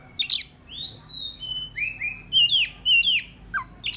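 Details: Oriental magpie-robin (murai kampung) song used as a decoy to lure rival birds: loud, clear whistled phrases, some sliding upward and others dropping steeply, mixed with short sharp chirps in quick varied succession.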